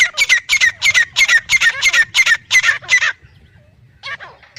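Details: Male and female black francolins: ten evenly spaced, loud, buzzy squawks at about three per second, then a short silence and one softer pair of notes.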